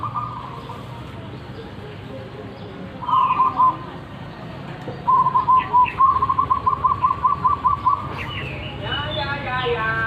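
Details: Stuttering coo phrases from a wild local zebra dove, building into a long even run of quick notes, with other small birds twittering near the end and a low hum throughout.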